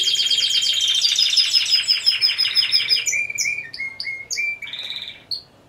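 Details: Timbrado Español canary team at a November 2015 singing competition: dense high trills fade into a slower series of separate whistled notes, each repeated at a steady pace, before falling quiet.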